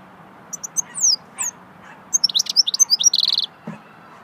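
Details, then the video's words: Goldfinch in swittey song: slurred whistled notes open, then a quick tinkling run of high twitters closing with a steady buzzy trill, and a soft low thump afterward. "Singing swittey goldfinch song"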